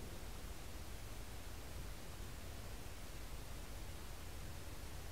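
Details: Steady broadband hiss with a strong low rumble throughout, and no animal voices heard.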